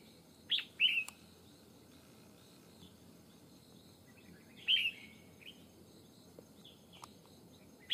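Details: Red-whiskered bulbul calling at a fighting trap against a wild bird, forest-voiced: scattered short whistled phrases, a pair near the start and another near the middle, with faint clicks between.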